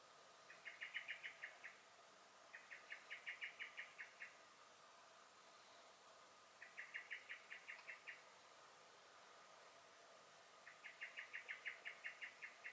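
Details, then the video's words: Common blackbird alarm in a garden in May 2021: four rattling volleys of rapid, metallic chink notes, each about ten notes long, repeating every few seconds against quiet background. "Song and Alarm Calls of the Blackbird"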